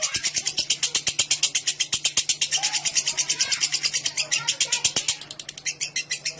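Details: Lovebird ngekek, a long clear chattering song meant to prompt other lovebirds: a rapid string of rasping pulses that loosens and softens slightly toward the end, with a steady low hum beneath.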